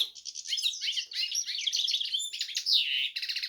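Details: A goldfinch crossed with a canary pours out dense, high twittering song: rapid trills, buzzy rattles and a slurred descending whistle near the end, with no break.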